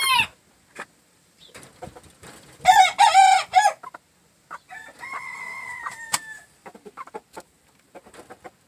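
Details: Green-legged red gamefowl, said to be kept with a jumbo pheasant, gives a short, hoarse crow amid scattered clucks, rustling and a thin, steady whistled tone.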